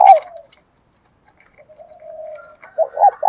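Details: Spotted dove decoy calling to lure wild doves: a low coo at the start, a soft, sustained hum, then a burst of low, rounded coos at the end.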